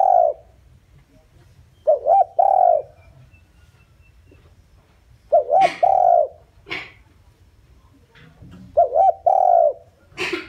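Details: Spotted dove kept as a lure for wild doves coos steadily. Three matching phrases of a quick double note plus a long falling coo arrive about every three and a half seconds, with scattered clicks and knocks.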